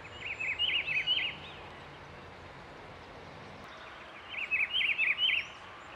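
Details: Rufous-browed peppershrike singing outdoors at Itatiba, SP, Brazil, 08:30 on 17 August 2024, Nikon D5600 recording: a musical phrase of four or five swooping whistled notes, silence, then the same phrase repeated, over constant low hiss.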